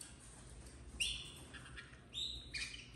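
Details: Captive domestic canary nestlings, red frosted colour, 2024 brood, letting out three sharp high chirps, the first strongest and the last two closer together, with a faint hum beneath.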